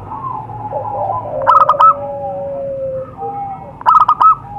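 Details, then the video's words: Lure recording of a wild zebra dove in nature: two sharp, clipped cooing bursts of three or four rapid notes, separated by about two seconds of fainter, drawn-out coos from other doves. "suara pikat burung perkutut di alam"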